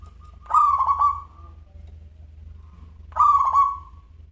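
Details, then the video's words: Active local zebra dove with a crystal-clear voice: two short stuttering coo phrases about two and a half seconds apart, each several rapid pulses fading into a soft tail, over a low steady hum. "Perkutut Lokal Gacor Suara Kristal"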